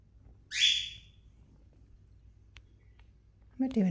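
A female cockatiel gives one loud, harsh, screechy whistle, followed by a person starting to talk.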